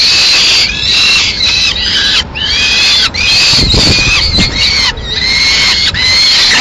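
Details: Two Peregrine falcon chicks at a nest in Madrid, Spain, 21 May 2016, fed pigeon by the female; sustained shrill wavering squeals, repeated in long drawn notes with short pauses, plus a few low rustles.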